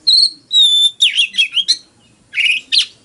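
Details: Oriental magpie-robin fighting song opening with two long steady pure whistles, then quick slurred warbling notes, a short silence and two more sharp rising phrases.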